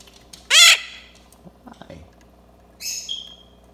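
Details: A pet yellow-collared macaw (Primolius auricollis) named Rio gives a loud, harsh rising screech, then a shorter grating squawk that trails into a thin whistled note, with a quiet human voice between.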